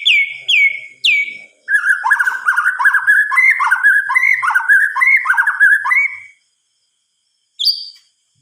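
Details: White-rumped shama at night: three loud downslurred notes, then a long run of fast buzzy chatter, a silence and one high note.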